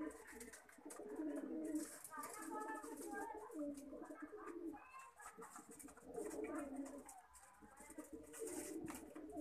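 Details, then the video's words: Several Lakha pigeons give soft, guttural rolling coos, steady overlapping phrases with brief pauses, plus faint background rustles and a murmur of voices indoors. "लखा कबूतर"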